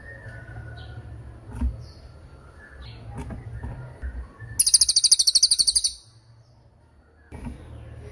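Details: Cililin from a recording meant to train songbirds, including birds in moult: against soft background noise and faint distant chirps, a single high, rapidly pulsed trill lasting over a second.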